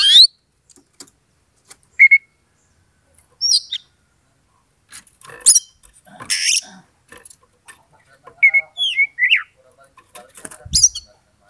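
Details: Oriental magpie-robin singing to provoke a rival to fight: scattered thin whistles, a harsh buzzy burst and a run of rising and falling whistled slurs, with faint clicks between.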